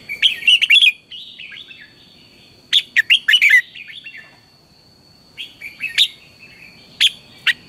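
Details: Morning song of a Red-whiskered bulbul, meant as a lure for training birds to sing: lively bursts of bright, tumbling chirps and slurred whistles, separated by short pauses and a few isolated sharp notes, with a faint constant high tone.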